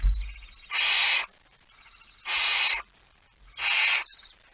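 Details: Feeding at the nest on 19 September 2019, early morning: three loud, breathy hisses from a barn owl, about one and a half seconds apart, over near silence.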